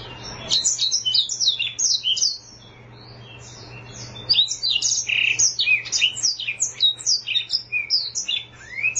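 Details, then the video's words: Black-throated canary, a small brownish African finch, singing in full voice: rapid high twittering of short sweeping and down-slurred notes, broken by a pause of about two seconds, then resuming in a dense run. A steady low electrical hum runs underneath. "Suara Burung Blackthroat Gacor"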